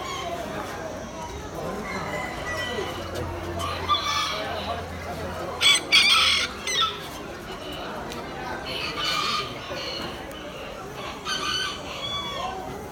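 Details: A black crested bantam rooster at a poultry show in October 2019 crows in several short, high, strained bursts, spaced a few seconds apart, over a steady crowd murmur and clucking from other birds.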